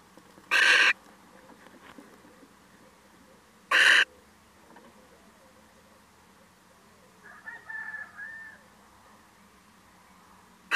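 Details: A male little owl drops by and gives a brief wavering, mewing call near the end, after two loud harsh bursts of noise a few seconds apart; it may have been startled.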